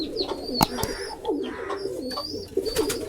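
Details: Pigeons in a pigeon house give low, throaty rolling coos that repeat steadily through the recording. Thin high whistling tones sound above them, with a few sharp knocks and clicks in an enclosed space.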